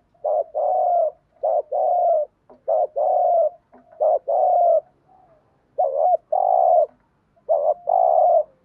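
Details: Lure recording of a spotted dove: steady run of cooing phrases, each a short bent note followed by a sustained coo, seven or so in close succession with brief pauses.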